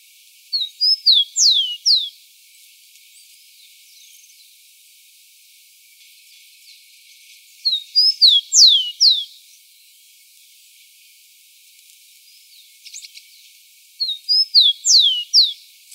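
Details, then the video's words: Rufous-collared sparrow singing in the wild, recorded to teach young birds: three repeats of a short whistled phrase roughly every six to seven seconds, each ending in bright down-slurred notes, with faint other chirps between. "Tico tico cantando ao vivo na natureza para ensinamento de filhotes"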